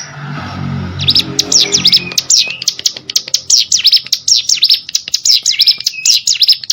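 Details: Hill prinia song recorded as training audio for competition songbirds: rapid high, thin, slurred notes rising and falling, repeated in a quick jerky series after a second of low muffled noise at the start.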